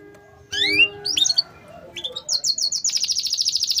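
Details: Canary song meant to prompt silent canaries into singing: rising whistled sweeps after a pause, then rapid high buzzy chirps repeated in a steady trill, with faint low background hum.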